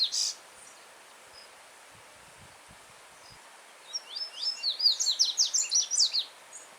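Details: Yellow-bellied seedeater singing free in nature: a brief high note at the start, then after a pause a quick phrase of about a dozen sharp, slurred whistled notes. A steady stream runs over stones throughout.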